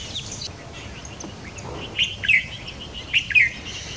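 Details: White-browed Fantail juvenile in a nest on a tree branch, being fed by a parent, gives begging calls: two bursts of thin, high, squeaky chirps about a second apart, over soft background twittering of other birds.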